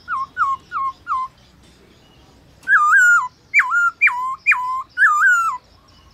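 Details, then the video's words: Black-throated laughingthrush in forest-style midday training song: four soft, short hooked whistles, a brief pause, then a louder series of five ringing notes that swoop down and level off. "Khướu bạc má HÓT BUỔI TRƯA cực hay , Luyện khướu bạc má hót cả ngày, khướu bạc má hót giọng rừng"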